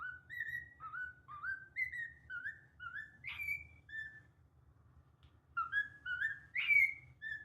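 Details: A moulting cockatiel in Japan whistles the learned Pitagora tune in a run of clear, rising notes.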